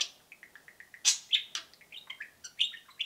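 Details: A pair of pet budgerigars cheeping: a quick run of soft, even peeps opens, then louder harsh cheeps and warbled twittering follow in a rapid stream.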